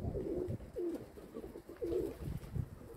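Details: Kept domestic pigeons cooing clearly: three distinct throaty, bending coos about a second apart, each dipping in pitch, with soft low thuds between them.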